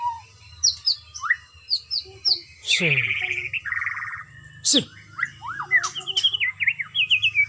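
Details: White-rumped shama in captivity, trained with routine free flight for stamina; series of short upward whistles, a harsh buzzy note, then quick repeated rising and falling whistles, over a low hum.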